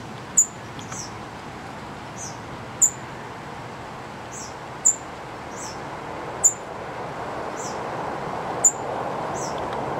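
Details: A young bird, possibly a baby catbird, starling or robin, perched on a branch at Clay Pit Pond, Belmont MA, on 1 August 2010, gives a thin, very high peep about every two seconds, each with a fainter echo, over steady hiss.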